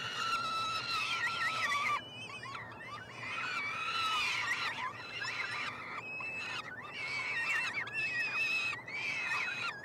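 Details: Peregrine falcon triplets, hatched late May, calling as they are fed at a nestbox in Montreal, Canada; a long harsh cry followed by wavering, squealing and chattering notes from several chicks.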